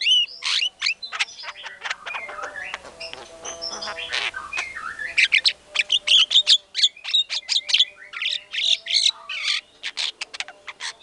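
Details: White-rumped shama singing loudly, as lure song to stir other shamas: rapid chattering and buzzy notes give way to fast runs of bright, high whistles and trills packed closely together.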